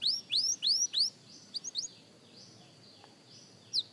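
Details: Young canary at singing practice, giving four loud rising whistled upslurs, a few soft quick notes, then a long quiet pause and one last whistle.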